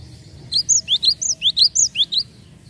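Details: Java sparrow lure call: about ten bright, high chirps in rapid succession, each slurred up or down, lasting under two seconds over a faint background hum.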